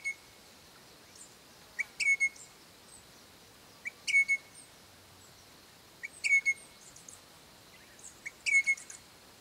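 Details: A pair of Crimson Rosellas living on a rural property calls to their young: clear, ringing whistled notes with sharp upward chips, given in short bursts about every two seconds against a quiet background.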